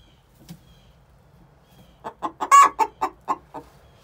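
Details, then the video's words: Two six-month-old hens giving the egg song before laying: a quiet first two seconds with a faint cluck, then a loud burst of rapid, harsh clucks about every quarter second, peaking in one strained squawk midway before tapering off. "Chicken song before they lay"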